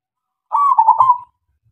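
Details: Local zebra dove singing loudly, used as a lure to make other doves sing. It gives a single short, warbling, bubbly coo phrase of under a second, with no other sounds.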